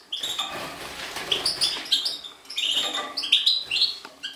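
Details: Goldfinch, subspecies major, 2012: a continuous lively twitter of high tinkling notes and rising whistled slurs, packed densely with only tiny gaps.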